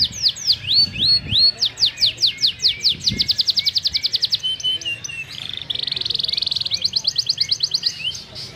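A canary sings a long, fast, varied song of sweeping whistles, rapid trills and buzzy rattles, high-pitched and nearly continuous, with faint background murmur.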